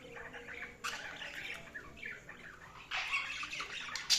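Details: Budgerigars chirping, a dense chatter of warbled squawks and short chirps from several birds, with louder harsh bursts; steady background hiss.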